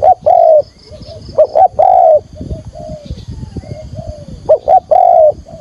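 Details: Spotted dove decoy calling in a field voice to lure wild doves: loud low coos in short-long pairs, interspersed with quieter softer coo notes between the main phrases.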